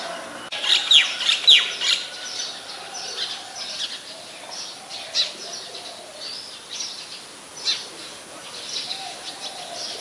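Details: Oriental magpie-robin singing at Ubon Ratchathani, Thailand, 28 October 2021, recorded on a Nikon P1000: a quick cluster of loud, sharp downslurred whistles near the start, followed by softer, spaced high notes and a faint low hum.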